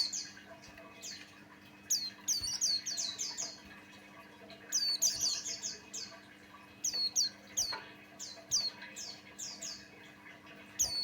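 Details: Buxtoni white-eye, described as a male singing actively, used as a lure to set other white-eyes singing: bursts of high, sharp, hooked chirps in quick clusters, pausing and restarting, over a faint steady hum.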